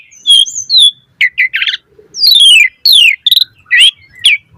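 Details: Full, varied 'gacor mompa' song of an Asian pied starling, recorded as a lure: sliding whistles, rough buzzy bursts and descending clear notes follow each other quickly with short pauses between.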